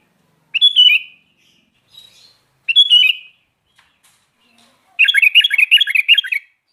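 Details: Sooty-headed bulbul (kutilang) singing briskly: two short slurred whistled phrases a couple of seconds apart, then a fast run of rapid chattering, warbling notes packed closely together, with no background noise.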